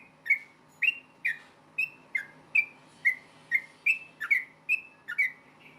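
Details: Yellow-vented bulbul (trucukan) in rapid fighting song, 'ropel tarung', used to make other bulbuls reply: a steady run of about a dozen short, bright whistled notes, each a quick slur, roughly two per second, over a faint low hum.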